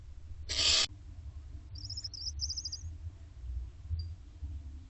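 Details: Barn owl owlets inside nest box C, late May to early June 2025: one loud, short harsh hiss lasting about a third of a second, followed by faint thin twittering and low rumbling background.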